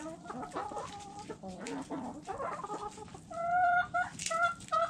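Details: Chickens eating and pecking; soft clucks and short harmonic calls repeat irregularly, growing louder and clearer toward the end, over faint background tapping.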